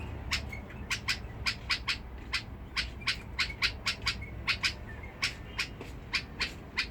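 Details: Bulbul from Basra with a harsh-toned voice, Badrawi style: sharp, clipped notes repeated about every third of a second in an uneven run, each a quick broadband stroke, over a low background hum.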